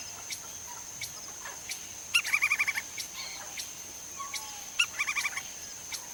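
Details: In Brazil, a Lineated woodpecker calls with a rapid run of about six ringing, evenly spaced notes, then a shorter run near the end, against a constant high-pitched insect hum and light forest ticking.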